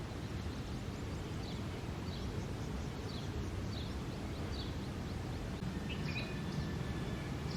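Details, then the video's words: A male house sparrow chirps nonstop early in the summer breeding season, giving quick, thin, descending chirps in an irregular series. Near the end a brief whistled note can be heard, all over a constant low noise bed. "Chirping Sparrow Sounds."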